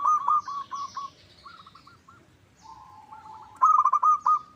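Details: Zebra dove (perkutut lokal) calling as a lure for answering birds: an opening rapid coo burst, softer short phrases, then a loud trilled coo series near the end, with faint high chirps behind.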